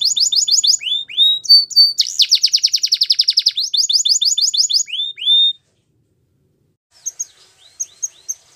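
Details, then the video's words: Belgian canary delivering a powerful training song of rapid chirp series and a dense rolling trill, ending abruptly in silence followed by a few soft scattered notes. "Canary's Most Powerful Song For Training | Belgian Canary"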